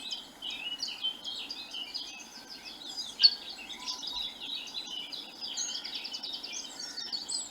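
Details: Eurasian blackcap (Sylvia atricapilla), an elusive woodland species, sings a rich, fast, high, continuous warbling song that runs on without a break, longer than a blackbird's or robin's, over faint background hiss.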